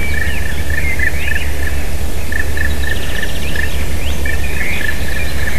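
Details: White-tailed eagle (Haliaeetus albicilla), 16 April 2019, 11:09, giving a steady series of short, high yelping notes, with thin chirps from small birds over a heavy low rumble of wind.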